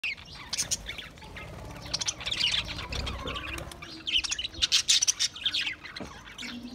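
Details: Budgerigars recorded on 28 April 2023 chattering in a dense, high warble of overlapping chirps and short buzzy notes, busiest around two seconds and again from four to six seconds, with a faint low hum beneath.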